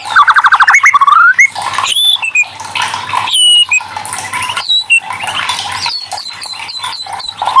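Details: White-rumped shama song played as a prompt to get quiet shamas singing: a fast burst of rapid repeated notes, then loud, varied whistles, rising sweeps and sharp chips in quick succession.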